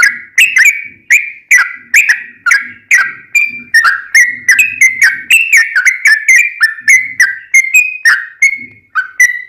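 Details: Sooty-headed bulbul in long rapid 'ropel panjang' song, used to provoke other bulbuls to sing back; a steady run of bright, liquid whistled phrases, each with a sharp start, repeated about twice a second with only brief gaps.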